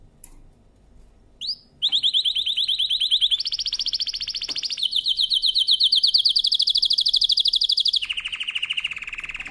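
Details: Canary singing a powerful training song: after a quick upslur, long rapid trills roll on for seconds, stepping up and then down in pitch, each made of fast repeated notes.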